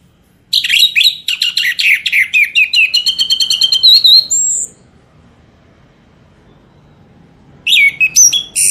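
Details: Lure song of the orange-headed thrush (anis merah), played so birds start singing: a fast, rich stream of high twittering and slurred whistled notes for about four seconds, a silent pause, then the song resumes.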